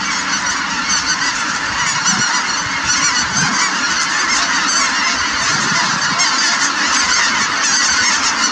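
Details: Merced National Wildlife Refuge, 3/4/2018: a very active, flying flock of Snow Geese gives a loud, dense din of high, overlapping barking honks, continuous and evenly sustained throughout.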